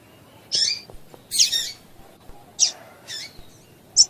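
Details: Female double-collared seedeater giving calls meant to warm males up into song: five brief high chips, some thin and piercing, others harsher and buzzier, coming at irregular gaps of about half a second to a second.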